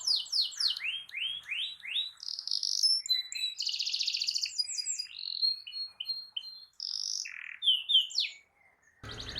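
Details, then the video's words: Canary in full, busy song used to goad other canaries into singing: a series of quick downward-sweeping notes, then varied whistles, dense rapid trills and short high chips in quick succession, ending with a brief thump. "Kicau Kenari Gacor Efektif PANCING EMOSI Kenari lain Cepat ikut gacor Ngerol panjang"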